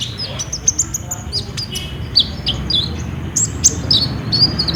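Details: Olive-backed sunbird singing as a prompt for caged birds, phone-recorded: busy high twitters and sharp chips mixed with short descending slurs, steady over faint low background noise.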